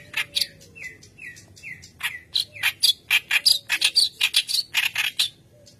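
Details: White-browed kerak basi in energetic full song, used as a lure for training young birds: three short whistled descending notes, then a fast burst of loud, harsh, chattering and scratchy notes repeated about twice a second.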